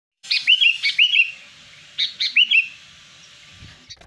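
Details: Wild sooty-headed bulbul song used for luring wild bulbuls: bright, liquid whistled phrases, each a quick rising note followed by a curling drop, given in two bursts of three notes with a pause between.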